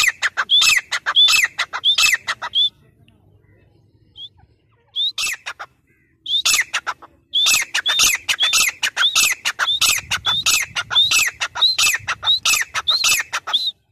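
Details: A grey francolin (teetar) gives loud, shrill, strident notes in rapid ringing runs, breaks off briefly, then starts the repeated series again; recorded 3 October 2020.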